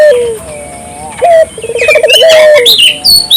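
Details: Barbary dove calling vigorously, used as a lure to stimulate local doves to call: a rising note, a fast trilled coo run and a long level hoot in the middle, amid busy high chirping and whistles from other small birds.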